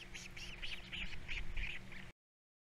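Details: Three osprey nestlings on a Captiva nest in 2022 call around feeding time with a run of thin, piping chirps, several per second, some harsher and louder, over constant low-pitched background hum before the sound cuts off.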